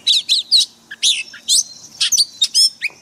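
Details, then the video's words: Daily training song of a caged white-rumped shama in forest voice: loud varied phrases of ringing whistles, buzzy notes and abrupt chirps, delivered in bursts separated by brief gaps, clear and high. "Luyện chòe than hót giọng rừng mỗi ngày"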